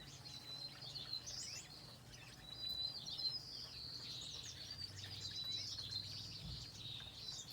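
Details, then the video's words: Finches twitter in a steady, high, bright chatter of quick chirps and short trills that overlap without pause, with a low hum underneath. "Songbird Finches singing"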